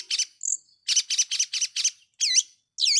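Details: Long-tailed shrike giving a lure song to provoke rivals: a quick burst of harsh buzzy notes, then two loud, sweeping, down-curved whistled calls. The recording is clean.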